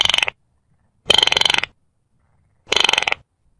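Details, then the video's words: Three dry, stuttering rattles from a Baillon's crake, each a quick run of clicking pulses about half a second long, spaced more than a second apart. "Baillon's Crake Bird Sound"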